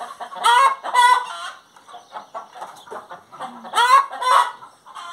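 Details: A singing hen gives loud, strained squawks with rising harmonics, two near the start and another pair near four seconds, with quieter clucking between them.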